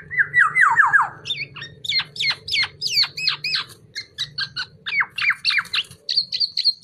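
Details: Black-naped oriole song in a recording meant for tutoring birds: a run of descending slurred whistles, then rapid sharp chirps and sweeping notes at about three per second, with a low hum underneath.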